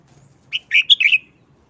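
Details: Red-whiskered bulbul kept as a cage bird, singing a short, rapid wild-style phrase: one quick note, then a tight cluster of bright, chirpy whistles rising and falling, over a quiet background.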